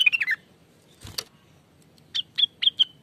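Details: ['Greater green leafbird (cucak wilis) lure recording: a brief slurred chirp burst, a sharp knock, then four spaced clear whistled notes.']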